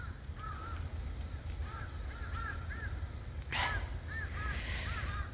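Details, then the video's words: Crows calling near cats being fed outdoors in cold weather: short arched caws in small bursts, some doubled, over a steady low rumble, with a brief noisy thump midway. "괜찮아 얼룩이 까마귀 소리예요 까마귀 소리"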